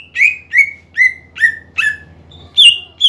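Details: Greater green leafbird in loud, lively song used to provoke sluggish rival birds into singing: a series of clear whistled notes sliding down, repeated about every third of a second, ending in higher sharper notes; faint low hum beneath.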